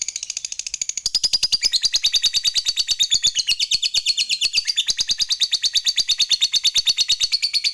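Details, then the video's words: Lovebird fighter giving a long ngekek chatter meant to provoke rivals: a rapid, unbroken run of harsh, buzzy notes, about three per second, that slightly shifts in pitch partway through and carries on without a pause. "NGEKEK TERUS Memancing EMOSI Lawan, Lovebird Fighter Ngekek Panjang"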